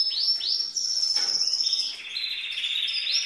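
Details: A female canary sings in male fashion to excite males. Two rising whistled notes lead into a long sustained high tone, then a lower buzzy rattling trill with short high accents.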